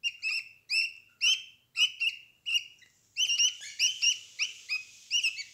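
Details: Young budgerigars in a nest box, eleven days old and cuddling with their mother: short, bright double chirps repeated about twice a second, then several birds overlapping in a denser chatter of similar chirps.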